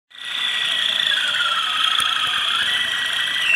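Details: Pairs of Malinois Waterslager canaries, placed first at an interregional Calabria–Sicily championship held in Calabria from 30 November to 6 December 2015. They pour out a loud, continuous, rolling, bubbling warble, sustained without a break and dipping slightly in pitch near the end.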